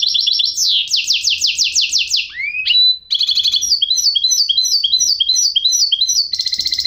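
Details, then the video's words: Loud goldfinch hybrid (mule) song: a series of repeated descending slurred notes, a brief upward whistle, then a long fast trilling chatter of high metallic chirps. "chant mulet de chardonneret"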